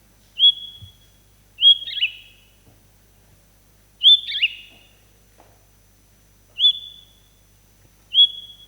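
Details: Song of the Gran Canaria blue chaffinch: short, high whistled phrases with a quick slurred tail, repeated every one and a half to two seconds, with faint room thumps in the background.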